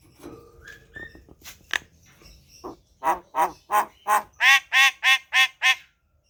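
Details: Javan pied starling kept at home: soft scattered notes give way to a regular run of about ten loud nasal, honking calls repeated roughly three times a second.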